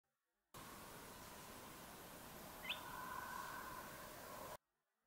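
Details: Spotted crake (Porzana porzana) flight call recorded during nocturnal migration: a single sharp, high, abrupt call followed by a brief lower tone, over a steady hiss.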